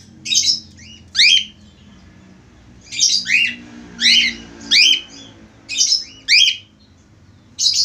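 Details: Male budgerigar singing actively indoors, delivering a fast series of squawky, descending chirps, often in pairs, roughly every half second to a second, over a constant low droning background.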